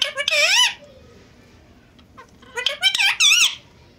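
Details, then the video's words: Indian ringneck parrot talking in Urdu or Hindi as part of a pet pair face to face. Two loud, bright, wobbling speech-like phrases are separated by about two seconds of quiet. "Ringneck Talking Parrot Speaking Face To Face In Urdu Hindi"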